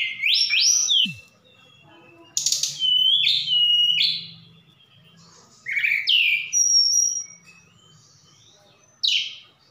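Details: Javan bush lark from Sukabumi singing a song said to contain imitations of cililin and sikatan londo: upslurred whistles, a buzzy rasp, warbled phrases and a high thin whistle, delivered in bursts with pauses between.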